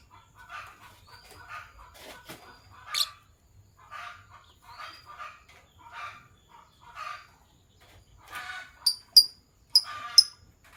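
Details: Lovebirds of Sky Blue Opaline and Green Opaline colouring chirp in the morning: a steady series of short scratchy notes roughly once a second, ending with several shrill, piercing high-pitched squeaks.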